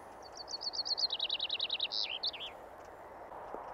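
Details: Common chaffinch in spring, in deciduous woodland around Limsjön lake, Leksand, Sweden, gives its song: a bright, rapid trill stepping down in pitch and ending in a short flourish, over a steady low background hum.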